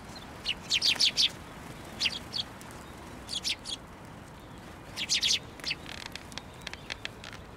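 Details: Sparrows gathering at a narrow post to be fed at a Tenmangu shrine, 22 January 2024; quick high chirps come in tight bursts near one, two, three and a half and five seconds, with softer scattered chirps afterwards.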